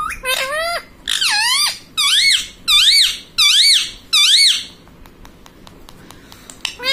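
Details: Pet ringneck parrot talking, said to repeat mummy papa: six loud, nasal, arching syllables in a steady run about one per second, followed by a quiet stretch with soft ticking sounds.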